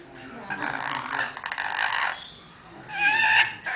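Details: Rainbow and black-winged lories at Weltvogelpark Walsrode, August, apparently a courting pair, give harsh, grating screeches: a long rasping burst lasting over a second, then a brief shriller, more whistled squeal near the end.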